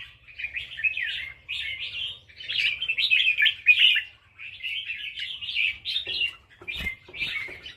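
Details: Red-whiskered bulbul from Loei province, Thailand, singing in the counted-phrase (nap dok) style: bright, warbled phrases repeated in quick bursts with short pauses between them, with faint low rumbling behind.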